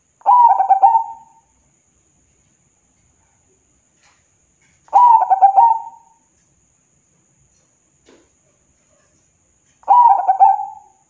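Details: Local zebra dove cooing, played as a lure to get reluctant caged doves singing. Three identical rolling coo phrases, each about one second long, are repeated roughly every five seconds against near silence.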